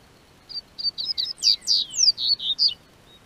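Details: Song of a double-collared seedeater held by a hobby breeder in southern Brazil as warmer weather arrives: quick run of clear high whistles, starting with short even notes then swelling into louder downslurred and warbling notes, about eleven in all.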